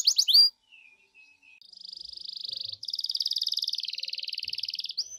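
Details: Canary song played to provoke another canary to sing: a few sharp high notes, faint low whistles, then a soft even trill growing into a louder, slightly wavering rolling trill ending in a rising note.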